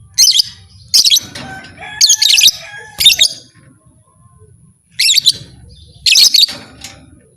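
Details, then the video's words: Lovebird giving buzzy, scratchy screech bursts, a sound claimed to push other lovebirds into fighting. There are four close groups, a pause, then two more, with faint tonal squeaks and low hum between. "Suara burung lovebird ini 100% merangsang lovebird lain Jadi Fighter"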